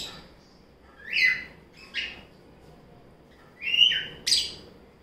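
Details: Pet lovebirds playing and eating fruit at lunchtime give short, sharp chirps that rise and fall, four bright calls spaced about a second apart, over a quiet background.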